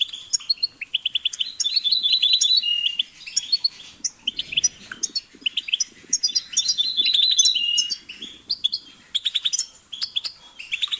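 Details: Lively goldfinch song: long runs of quick staccato chirps and tinkling trills, phrases rushing together, delivered in energetic bursts with short gaps.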